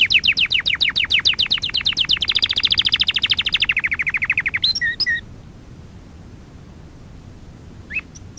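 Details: Canary singing for canary training: rapid sweeping chirps in a long roll, shifting to a lower dense trill, then a few scattered short calls after the song stops, followed by near silence.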